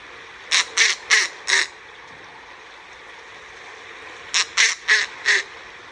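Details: Snowy owl, an individual that arrived in Cypress, Southern California, January 2023, giving a typical call: harsh, grating barks in two quick bursts of four notes, about a third of a second each, separated by a few seconds of quiet.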